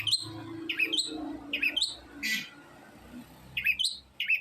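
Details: Long-tailed shrike giving a few sharp upslurred chirps in short pairs, with one broad rasping burst, over a low rumbling indoor background.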